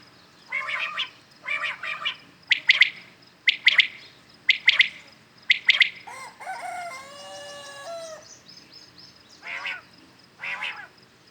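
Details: Common quails calling at dawn, real birds heard clearly for hunting: a run of sharp three-note whistled phrases repeated about once a second, then a drawn-out harmonic wavering sound and two more soft notes.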